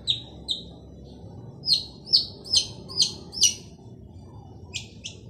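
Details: Male long-tailed shrike in full vigorous song, used to coax silent shrikes to sing: bright, sharp, high chipping notes, at first in spaced pairs, then a steady series of louder strokes, pausing before two final notes.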